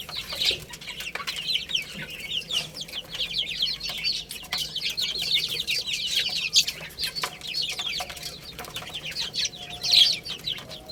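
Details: Many baby chicks playing and eating keep up a steady stream of thin, high cheeping notes, mostly falling in pitch, packed closely together, with occasional sharp knocks in the background.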